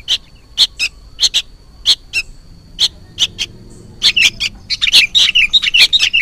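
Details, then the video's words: Sooty-headed bulbul chick begging calls used as a trapping lure, in a new combination: sharp high chirps spaced irregularly for about four seconds, then a denser burst of twittering notes, with a faint steady high tone throughout. "Suara PIKAT Anak Burung KUTILANG"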